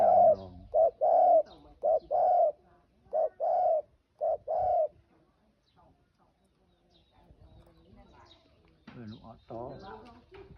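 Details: Spotted dove cooing: a run of soft, low, hollow coos in short bursts over about five seconds, then quieter scattered noises and a few faint sounds.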